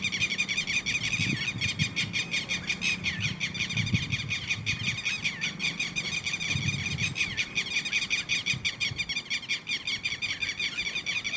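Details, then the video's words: Chicks of the red-wattled lapwing keeping up a long, dense chorus of shrill, quivering peeps, several voices overlapping without pause, with soft low thuds now and then. "Red wattled (Titehari)Baby|Bird sounds|Cute Titodi Baby|"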